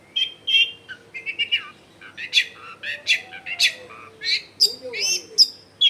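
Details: Lively Long-tailed shrike song used as a lure to prompt quiet shrikes to answer, taped in a densely populated home area: varied chattering and whistled phrases, squeaky and scratchy, over faint background hum.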